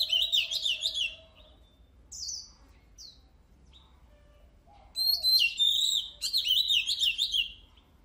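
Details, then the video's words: Oriental magpie-robin in full song, used to train competition birds: a loud warbling phrase, a few isolated sharp high whistles, then another long rush of rapid twittering and trilled whistles, with a faint low whistle under it. "Luyện giọng chòe than HÓT HAY || Kích chòe than hót căng lửa || Suara Burung Kacer Gacor"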